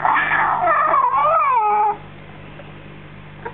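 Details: Young African grey parrot, six weeks old, chatting after a feed: two seconds of loud, warbling, up-and-down whining notes that rise and dip before stopping abruptly, leaving only a quiet low hum.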